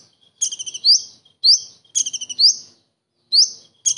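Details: Common iora singing kingfisher-like phrases as a master for songbirds: rapid pulse trills ending in strong rising whistles, alternating with lone upslurred notes, separated by brief pauses.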